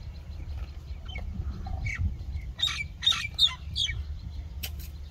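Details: Common myna calling amid a busy background: a few scattered soft notes, then a cluster of loud, harsh, squeaky calls with whistled tones, and a low rumble throughout.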